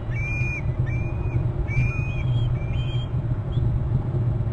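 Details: Eagle calling from a perch on Hornby Island, in its nest territory, at 13:16 on 18 April: a series of thin, high whistled notes, some rising and some slurred, repeated about every half second over steady low rumble.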